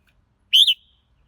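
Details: One rich whistled phrase from a red-whiskered bulbul, rising then dipping with a short break, trailing off in a thin tail.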